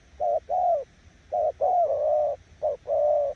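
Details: Spotted dove giving its 'gù' cooing style, praised as strong enough to beat weaker decoy birds: three low, mellow coo phrases, each a short note followed by a longer, slightly wavering one, in a quiet setting.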